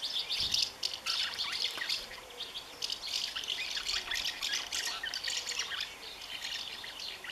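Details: Common house martin guarding the nest from its partner on 20 May 2015, giving a busy, rasping twitter of fast high chirps in irregular bursts, with a brief dull thump near the start.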